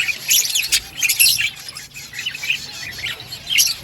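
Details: Green-food-eating budgerigars give rapid, squeaky chirps and harsh squawks in overlapping bursts, loudest early on, then a steady lower twittering.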